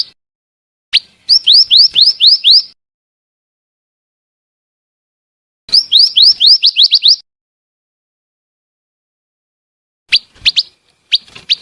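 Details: Female scarlet minivet: a sharp opening note, then two long runs of about seven rapid upslurred whistles set apart by several seconds of silence, ending with short scattered notes.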